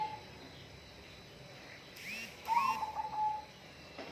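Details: A single whistled bird phrase of warbling notes that level off, preceded by bursts of broadband rustling noise, in a hissy background.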